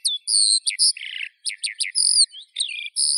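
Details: A Eurasian skylark pours out quick high chirps and sustained whistles, broken by a brief buzzy rattle and tiny pauses, varied notes tumbling one after another.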